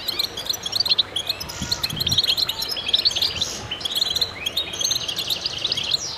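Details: A dense goldfinch chorus: continuous high, jingling twitters and sharp chirps from several birds, with occasional rising sweeps and a faint low knock near the two-second mark.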